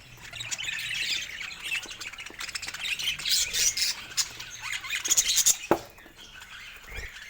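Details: Cheerful pet budgerigars trading high chirps and scratchy squawks, building to a louder burst of clicks and squeaks before a sudden drop into quieter chatter.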